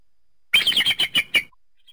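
An eagle gives a quick burst of about six thin, high, piping notes in under a second. The notes fall slightly in pitch, with no other sounds.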